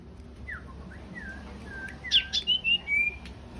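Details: Male and female sooty-headed bulbuls calling: soft descending whistled slurs lead into four loud, quick, bright notes sung in a rapid cluster, over a faint low hum.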